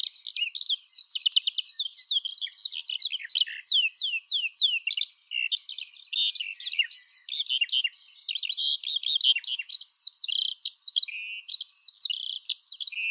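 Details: Sustained high-pitched skylark song, Eurasian species: a rapid torrent of trills, clicks, descending slurs and mimic-like chirps running nonstop, loud and clean against silence.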